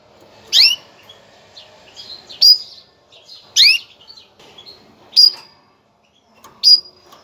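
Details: Female canary making a breeding call that prepares males for mating: sharp upward-sweeping chirps, some with a brief whistled tail, spaced one to one and a half seconds apart, with soft chatter between.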